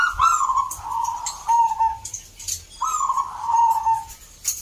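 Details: Zebra dove competing in a contest in Salatiga, Central Java, Indonesia: a pair of long, trilled coo phrases, each starting higher and gliding downward, with sharp clicks and faint calls of other birds around.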